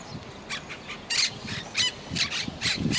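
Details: A pet monk parakeet (Quaker parrot), a talking parrot kept in a house, gives harsh, scratchy squawks in short bursts about twice a second, with faint low indoor rumble beneath.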